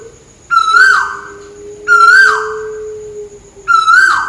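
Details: Malaysian tuwu bird calling above: three loud, harmonic-rich whistles, each flat, rising slightly, then plunging, about 1.5 seconds apart, over a steady low droning tone.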